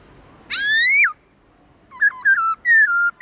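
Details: Black-throated laughingthrush giving its wild-style song, meant to stir pet birds to sing: one loud, rich upslurred whistle that drops at the end, then after a pause a quick string of short stepped whistles.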